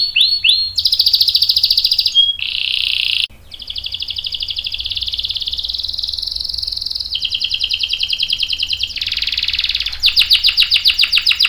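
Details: Canary singing a long rolling song used as a lure to prompt other canaries to answer: rapid trilled phrases high in pitch, switching between buzzy rolls, a sustained steady tone and fast repeated notes, with brief gaps between sections.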